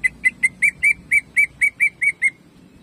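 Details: Greater green leafbird in excited rapid song, meant to warm up and provoke caged leafbirds: about eleven loud, clear whistled notes repeated quickly at steady pitch, then a short pause.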